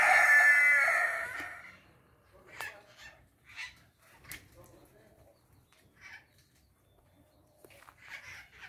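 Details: Scaly-headed parrots feeding on guavas on 17 April 2022, 16:50; a loud, drawn-out harsh squawk opens, followed by short, scratchy calls spaced about a second apart.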